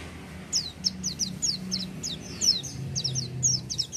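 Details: Oriental white-eye song in a loud "gacor" manner: regular high, downslurred notes, several a second, with brief pauses between short runs, over a soft low-pitched background hum.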